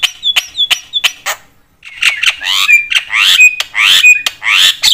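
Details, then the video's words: Javan myna calling persistently to provoke other mynas: sharp clicking notes with faint whistles, a short silence, then broad harsh squawks interleaved with brief pure whistles. "jalak kebo gacor BAWEL sekali bunyi bikin semua jenis burung jalak emosi koar koar"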